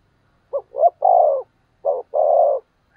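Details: Spotted dove kept as a decoy, calling in the 'thúc gù' style meant to provoke wild doves to answer: short stuttered notes, then a drawn-out low coo, then another brief note and a long coo, in quiet surroundings.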